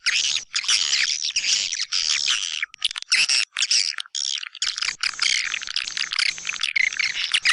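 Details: White-nest swiftlet calling sound for attracting birds to swiftlet houses, tested in East Kalimantan: rapid scratchy twittering and buzzy chirps, in dense bursts separated by short silences, steady and busy from start to finish.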